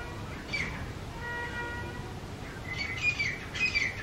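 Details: Two wild grey francolins call loudly in their territory, giving harsh, squawking bursts, three spaced over a few seconds, with a faint steady whistled tone between them.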